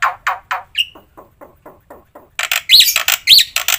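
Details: Black-winged myna singing a full, varied training song: several harsh rasping notes, a short whistle, a row of soft clicks, then loud, dense screechy squawks with thin whistled inflections.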